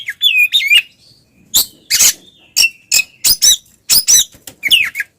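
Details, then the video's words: Ngeplong singing by twin Oriental magpie-robins, used to spur silent magpie-robins to sing: a whistled opening phrase, then a rapid series of harsh, high chips and short twittering notes. "suara burung Kacer kembar NGEPLONG bikin Kacer bisu ikutan panas"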